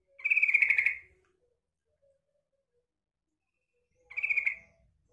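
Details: Female yellow-vented bulbul lure call: two harsh, pulsed, buzzy chatters nearly a second long, about four seconds apart, with near silence between.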